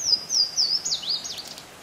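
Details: Louisiana Waterthrush singing three clear, high, slurred whistles, then a quick jumbled twitter of falling notes, faint background hiss; recorded 27 April 2014 at Pond Road, Windsor State Farms Corrections, Vermont.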